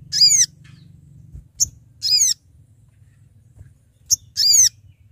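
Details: Sooty-headed bulbul, a male, calling to companions for trapping: short downward-sweeping whistled notes about every two seconds, each preceded by a brief sharp tick, over a low background hum.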